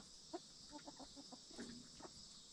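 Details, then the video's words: Hens in a backyard coop, relaxing before roosting at night, utter a run of soft clucks every few tenths of a second, some with brief tonal murmurs, against a constant high-pitched hiss. "Backyard Chickens Relaxing Hen Sounds"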